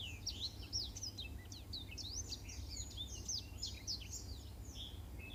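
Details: Black-throated canary singing a model song meant for teaching canaries, a rapid jumble of high slurred whistles and short downswept notes packed closely together over faint background hiss.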